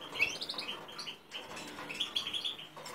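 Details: Song of a goldfinch crossed with a common linnet: a low-volume, rambling series of chirps, short trills and twangy notes, steady twittering with a short break near the middle.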